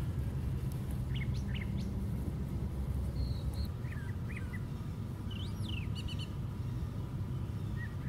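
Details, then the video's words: Brown thrasher atop a white pine tree, singing sparse phrases: short rising notes, a flat whistle, then a looping slurred phrase and quick repeated chips, separated by pauses, with low rumbling noise throughout. "Brown Thrasher Singing at Top of Pine Tree"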